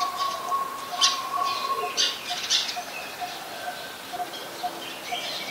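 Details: A coppersmith barbet, a very common resident, in Ubon Ratchathani, Thailand, on 2 January 2021, gives soft, low, hollow 'tuk' notes, about two per second, while other birds chatter and squawk harshly nearby.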